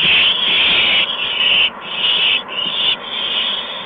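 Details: Owlets at a nest as adults arrive with mice and a gopher, evening of March 13, 2015; loud, nearly continuous hissing screech broken into four long segments by brief dips.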